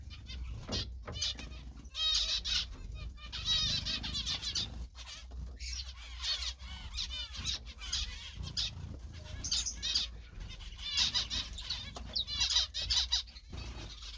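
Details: Singing zebra finch giving chattering runs of nasal, harmonic-rich notes, repeated in short bursts throughout, accompanied by soft rustling and low background hum.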